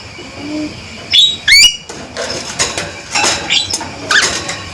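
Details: Two crisp, rising whistled calls from a male Javan myna, followed by a run of clattering, rattling noises.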